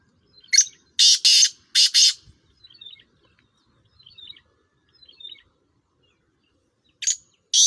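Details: Black francolin, a Sindhi Sheedi Chiringa cross from Sindh, giving harsh, grating, broadband bursts in a rough series: a loud cluster of three early, thin faint notes between, then two more loud bursts near the end.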